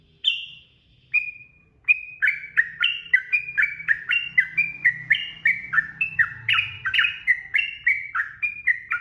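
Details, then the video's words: Yellow-vented bulbul in full gacor, ropel-style song: a lively stream of bubbly, slurred, downward-sweeping whistled notes delivered about twice per second after two opening whistles, with a faint low hum beneath. "SUARA TRUCUKAN ROPEL GACOR"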